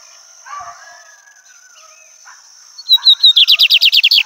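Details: A lined seedeater (bigodinho) sings while just observing nature: a few high, clear whistled notes, then a fast run of about a dozen sharp, buzzy chirps, over a steady thin high whine.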